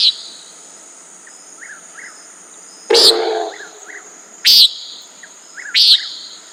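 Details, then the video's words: Common nighthawk giving a few short, buzzy, nasal calls, with a loud thump-like noise and faint soft chirps in the background. "Common Nighthawk Sound, Bird Call"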